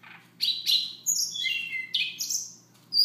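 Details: Siberian rubythroat giving soft morning song: a run of varied high whistled and slurred notes, some descending, with scratchy bursts, packed closely over three seconds; faint low hum beneath.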